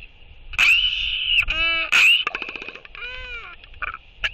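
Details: Royal albatross pair in courtship, one bird welcoming an incoming banded mate with skycalls and displays, 11.6.23; loud harmonic rising calls, a burst of rapid clattering pulses, then drawn-out arched moaning notes, with low wind rumble beneath.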